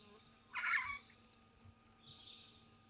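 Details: Group of wild Pink Cockatoos feeding in eucalyptus at Patchewollock, Mallee region of Victoria, where this threatened species is regularly present; one short harsh, raspy screech, then a fainter hissing note in quiet surroundings.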